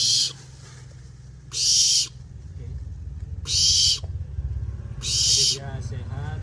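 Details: Young captive barn owl, healthy and eating eagerly, wing feathers starting to grow, being tamed and hand-fed; four harsh, broadband hissing screeches about half a second each, spaced irregularly, with a man talking quietly and low hum beneath.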